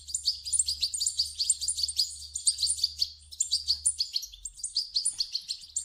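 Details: Begging goldfinch nestlings, played to prompt an adult to sing, give a steady stream of high, squeaky, overlapping twitters, while a faint low hum runs beneath.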